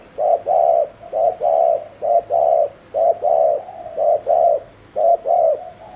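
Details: Rapid 'gù' cooing by a spotted dove kept as a lure for wild doves. Deep, soft coos in regular twos, short then long, repeated about once per second with short gaps between pairs.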